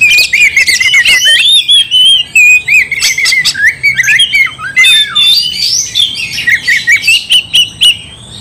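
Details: Oriental magpie-robin (kacer) in full lively song, meant to provoke another into fighting: loud varied whistles and harsh squawky notes around mid-high pitch, sliding phrases with brief gaps, continuous through the clip.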